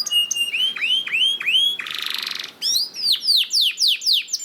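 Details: Canary song meant to coax other canaries into singing: rising whistled swoops repeated about four times a second, a brief harsh rattling roll in the middle, then steeper descending whistled notes.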